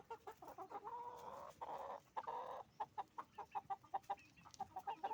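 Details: Chicken farm flock of roosters and hens making noise: long nasal squawks alternate with fast, evenly spaced clucks, several birds calling over one another.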